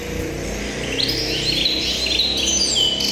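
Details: Tuffahi hybrid canary, 2023, giving a continuous rambling warble of high twittering notes and rising slurs over a steady low background hum.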